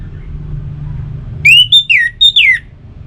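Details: Orange-headed thrush, a kept bird, song used to prompt other caged birds into singing; after a second and a half of low rumble, a burst of rich whistled notes, rising then falling slurs, five in quick succession.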